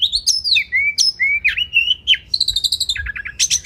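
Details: Oriental magpie-robin song for training competition birds: high whistled slurs, a mellow falling whistle, a rising swoop, then a rapid buzzy trill and a short run of clipped chip notes.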